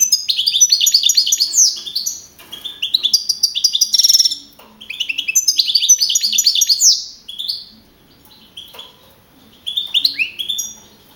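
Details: Young male field goldfinch (jilguero campero), winner of a singing contest at Navalcarnero, Spain, on 15 April 2012. Fast, liquid, tinkling twittered phrases a few seconds long alternate with short pauses and scattered single notes.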